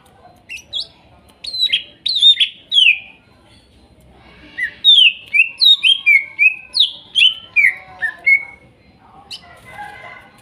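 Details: Forest-caught greater green leafbird (cucak ijo) from Kuningan, trotol and nopeng types, singing for a bird that has gone quiet: sharp falling whistles, a pause, then a quick run of ten or so bright downslurred notes.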